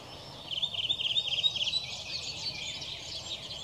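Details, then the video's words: Redwing singing on 18 April 2021: a quick burst of high, scratchy twittered notes lasting just over a second, then a fainter trailing warble over a steady background hiss. "Punakylkirastas laulaa kauniisti - ääni"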